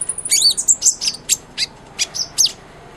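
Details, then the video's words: Kolibri ninja sunbird singing steadily, kept as tutor material for a white-rumped shama: a short burst opening with a thin high whistle, then quick, piercing, separate chirps and downslurred ticks at a steady pace, with no other sounds. "SUARA BURUNG KOLIBRI NINJA GACOR"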